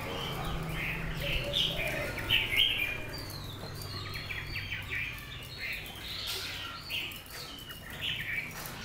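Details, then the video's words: A selected Lạng Sơn hwamei, caged eight months, pours out a long, varied song of quick whistled and chattering phrases, rising and falling, with brief pauses and faint low rumble beneath. "Mi tuyển lạng sơn, hót hay"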